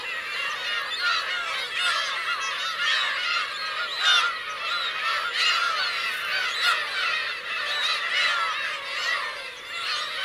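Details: Colony of Black-tailed gulls with young at Kurosaki coast, Teuri Island, Japan, 17 June 2021, heard as a thick wash of nasal mewing cries from many individuals, fading slightly near the end.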